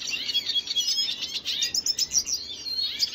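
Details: Venezuelan red siskin song from 25 June 2022, a brisk burst of high, jumbled twitters and short buzzy trills that run together, with a few sharper ringing notes near the end.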